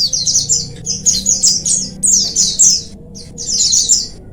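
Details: Oriental white-eyes singing as a group, a recording for rousing lazy birds: quick high chirps tumbling downward in clustered bursts, around fifty per minute, with a faint low hum.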